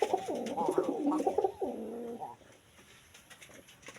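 A Jalali pigeon gives a low, throaty coo in rolling, bubbling phrases for about two seconds.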